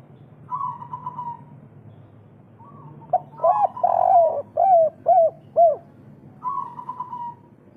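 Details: Spotted dove, local Indonesian type, 'kuk 3' calling to boost breeding drive in other doves: a falling higher tone, then a burst of six hoarse, arched coos about every half second, and the higher falling tone again.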